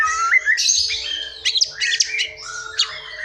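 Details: White-rumped shama song from a forest bird, used as a lure to draw song from silent or young shamas: varied whistled and harsh notes, rising slurs and buzzy bursts, steady faint hum beneath.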